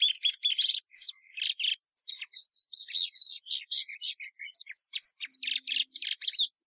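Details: Song of a plumbeous seedeater, a long jumbled stream of sharp chirps, buzzy trills and short whistles in quick succession, with brief pauses between phrases and no other sounds.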